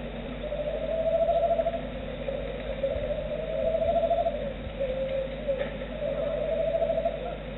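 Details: A roosting Tawny Owl responds to its mate with chirring, warbling notes, four drawn-out low wavering phrases spaced roughly every one and a half seconds, with constant low hum underneath.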